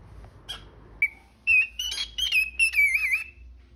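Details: Pet parrot singing and talking indoors, giving a rising whistle that runs into a bright, wavering warble of high whistled notes with soft clicks before it, in a quiet room.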